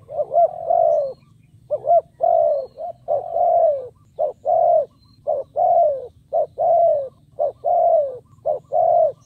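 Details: Spotted dove kept as a decoy, cooing to draw in wild birds. It gives a brisk series of about nine phrases, each a short clipped note followed by a longer mellow coo that falls in pitch, over a faint background hum.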